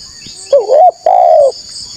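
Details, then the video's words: A single spotted dove phrase from a lure recording aimed at wild rivals: a wavering opening note, a short break, then a smooth sustained coo that falls slightly at the end, over faint insect buzzing. "TEKUKUR GACOR SUARA MERDU_5 DETIK NYAUT PANCINGAN TEKUKUR NGALAS CARI LAWAN"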